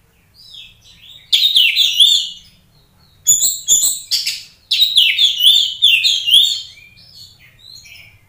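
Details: Oriental magpie-robin in full song, played to provoke a fighting response from another magpie-robin: loud varied bursts of high whistled and scratchy phrases in three main bouts, with short silent gaps between them.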